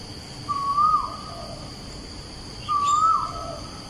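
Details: Asian koel singing opposite Bukit Batok nature park on 14 September 2021: two strong whistled notes rising in pitch, about two seconds apart, with a brief higher bird chirp between them and steady background hiss.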